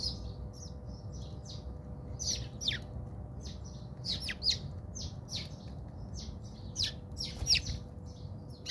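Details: Squabbling house sparrows in a South African backyard give a dense stream of loud, scratchy chirps and downslurred notes, several birds overlapping, with a constant low background hum.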